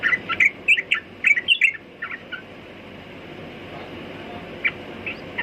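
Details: Sooty-headed bulbul delivering a quick run of liquid chirps in the first two seconds, then near silence with a few isolated soft notes over constant background hiss.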